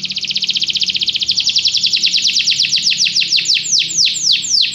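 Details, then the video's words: Canary singing: a fast trill of high notes that slows into sweeping downward slurs repeated about four times a second, steady and loud throughout. "Canary bird | o canário canta muito bem"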